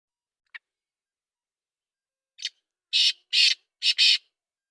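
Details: Black francolin calling: a faint short note, then a harsh burst, then four loud grating, rasping syllables in quick succession near the end, each broad and high-pitched, with silence between.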